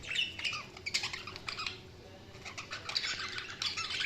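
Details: Several budgies chattering in a quick jumble of squeaky chirps and scratchy warbles, with a brief lull in the middle before the busy high twittering picks up again.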